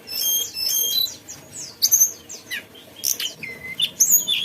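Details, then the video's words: High-pitched song of a mountain tailorbird: quick repeated thin whistles and sharp slurred notes in short bursts, ending with bright clipped whistles. "tledekan gunung gacor ocehannya"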